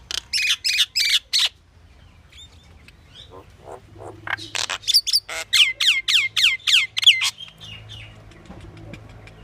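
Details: Pied myna chattering: a fast burst of harsh notes, a pause, then a long rapid series of raspy notes mixed with repeated downslurred whistles.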